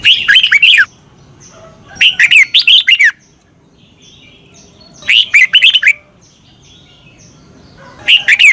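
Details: Caged-bird training song of a Red-whiskered bulbul from Thailand, repeated for young birds to copy: short bursts of rapid, liquid whistled notes, each about a second long, separated by pauses of one to two seconds.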